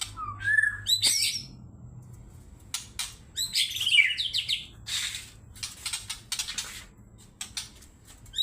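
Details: White-rumped shama in an agitated, provoking song: a clear whistled note, then rapid chattering and sweeping phrases broken by dry clicks and ticks in irregular bursts, with a quiet low hum underneath.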